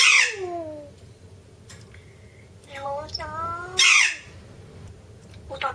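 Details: Young pet grey parrot talking indoors: loud harsh squawk-like bursts alternating with clear, falling and level harmonic speech-like syllables, two vocal groups over six seconds, with a quiet room hum.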